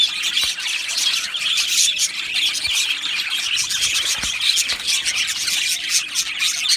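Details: Budgerigars in an aviary colony, a dense, continuous chorus of high chirps, squawks and warbled twitters from many birds at once, with no pauses and no other clear sounds.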